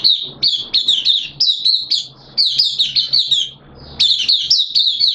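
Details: Captive oriental white-eye in song on 13 September 2022, second day of its monthly deworming; near-continuous high, jangling twitters in fast, repeated phrases over a low steady hum.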